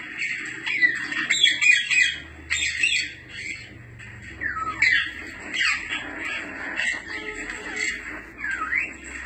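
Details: African grey parrot chatter, used to call and relax a pet parrot: continuous squawks, whistled glides and varied calls with little pause.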